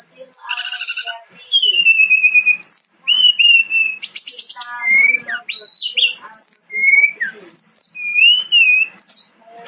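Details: Brown-chested jungle flycatcher singing a long rolling song: loud clear whistles, rising and falling slurred notes and dense buzzy bursts in quick varied succession, with no other sounds.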